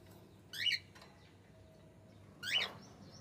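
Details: Two brief, bright cockatiel chirps about two seconds apart over a low, steady indoor hum.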